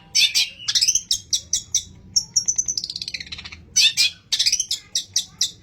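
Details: Lure recording of a long-tailed shrike singing a rich mimicry repertoire, including sparrow-fight imitations, meant to set other shrikes singing. Clusters of very high, sharp chips alternate with a sustained thin whistle that slides downward.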